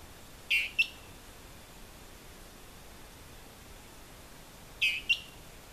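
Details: Dwarf Tyrant-manakin (Tyranneutes stolzmanni) near Mitú, Vaupés, Colombia, gives a short, high two-part phrase, a burry note then a quick sharp one, repeated after about four seconds over quiet forest background.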